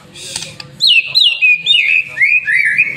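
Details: Master-trained white-rumped shama sings a lure phrase: after a soft noisy start, a clear sweet whistle sliding down in wavering steps, rich and continuous for two seconds, over faint hum.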